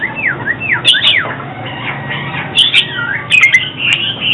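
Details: Oriental magpie-robin in song, used to lure birds into traps and train singing: a pair of sweeping downslurred whistles, then bright high chirps and a warbled trill toward the end.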